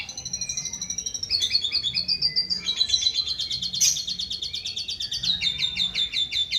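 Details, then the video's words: Asian pied starling, a clever bird imitating the voices of other bird species: rapid run of high chirps and buzzy repeated notes, a dense varied medley with a steady pulsing rhythm throughout. "jalak suren burung cerdas meniru suara jenis burung lain"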